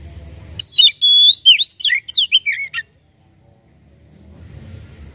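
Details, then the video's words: Oriental magpie-robin song, played to make a kacer sing: a two-second phrase opening with long level whistles, then quick downward slurs. Quiet low background noise follows. "Burung Kacer langsung bunyi dengar ini"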